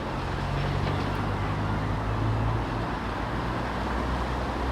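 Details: Continuous car and road traffic drone, low and even throughout, with no bird or other animal voice.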